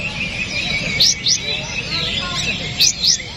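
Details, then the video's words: Kapas tembak bulbul song as songbird training material: two paired bursts of sharp, rising whistled notes, with quiet warbling between them and a steady hiss. "KONIN MATERI KAPAS TEMBAK"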